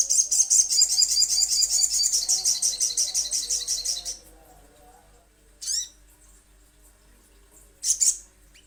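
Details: Little spiderhunter in a lure recording: a four-second burst of rapid, piercing high chips, then two separate sharp down-swooping notes, with a faint low hum underneath.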